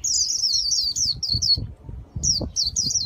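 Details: Japanese white-eye, caged in Vietnam, in khuyên líu song: a fast continuous ripple of high descending notes, then a pause and a few spaced slurs, with soft knocking in the background.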